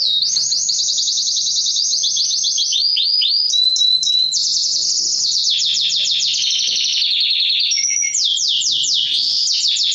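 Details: Male mosaic canary song meant to excite females for mating and train young birds: unbroken fast trills and rolling repeated notes, steady and loud, changing tour every couple of seconds with a short clear whistle in between.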